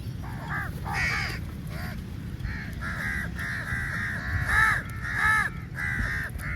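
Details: Feeding-time crowd of crows descending on food: repeated rasping caws, roughly one to two per second, from overlapping birds, louder toward the end, over continuous low background noise.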